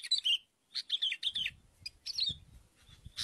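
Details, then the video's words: Sooty-headed bulbul chirps used in luring birds: a few loud bubbly note clusters, then scattered single chirps, with soft low thumps and handling noise underneath. "pikat BURUNG KUTILANG"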